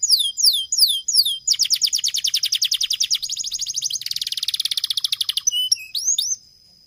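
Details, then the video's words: Canary in long, energetic song: rapid rising chirps give way to fast, evenly pulsed high trills, then a dense buzzy rattle, ending in a few sharp upswept whistles; no other sounds. "Cuit cuit Suara Kenari Gacor Panjang"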